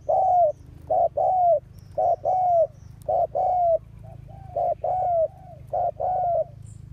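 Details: Spotted dove decoy in the Vietnamese countryside, used to lure wild doves, cooing steadily in loud, repeated phrases of a short coo then a longer falling coo, about one phrase a second, over a faint low hum.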